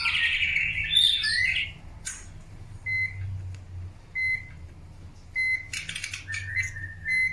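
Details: Long-tailed white-rumped shama during the pairing process for breeding: a rich, varied warbled phrase at the start, then short, clear, steady whistles with overtones repeated every second or so, broken by a brief buzzy burst, over a low background hum.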